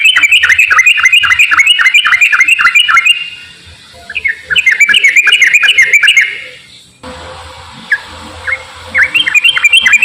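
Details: Yellow-vented bulbul in fast 'ropel' song, played to coax lazy bulbuls into singing: long runs of quick, evenly repeated chattering notes, a brief quiet gap, then scattered single notes building back into rapid chatter.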